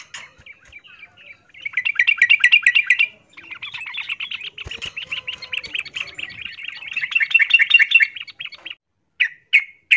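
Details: Female yellow-vented bulbul, in breeding condition, giving the miyik call to attract a male: a long run of rapid, rattling chirps of varying loudness, ending in a few separate short notes after a brief gap.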